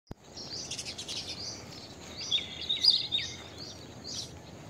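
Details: Blue-tailed bee-eater calls: a busy run of short, high chirps and trilled notes, clustered around the middle, over a steady hiss of background noise.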